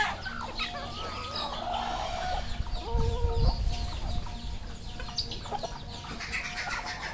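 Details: Red junglefowl kept on a farm in Cambodia: a short harmonic crow-like phrase rises out of busy flock noise, over steady clucking from many birds, high thin peeping, and a low rumbling background.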